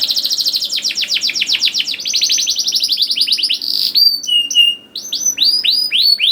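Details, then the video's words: Singing canary meant to stimulate juvenile canaries: a long fast rolling trill of rapid chirps, followed by separate rising and falling whistled notes. "KENARI GACOR DOR NGEDUR NGOTOT CUIT CUIT NGEROL AMPUH PANCINGAN KENARI PAUD"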